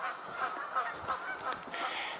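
Canada geese give a short run of nasal honks, roughly one every third of a second, over a hiss of outdoor background noise.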